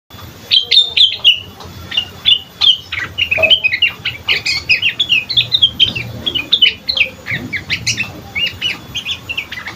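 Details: Sooty-headed bulbul singing in the ngriwik style: a loud, busy stream of short, sharp, high chirps and twitters that comes in quick irregular bursts for about ten seconds, over a faint low hum.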